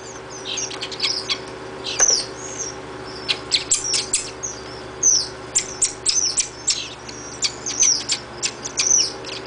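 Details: Chimney swift nestlings in rehabilitation beg while being fed, in a rapid, high, twittering chatter of thin chips and short buzzy bursts, coming in quick surges, over a low steady mechanical hum.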